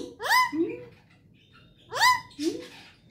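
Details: Pet parrot giving two paired calls, each a bright rising harmonic note followed by a lower, shorter nasal note, about a second and a half apart, with near silence between them.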